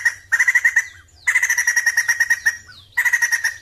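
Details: Sumatran laughingthrush, noted for a strong singing performance, gives three loud bursts of rapid, ringing chattered notes, each phrase ending in a sliding downward whistle, with brief pauses between.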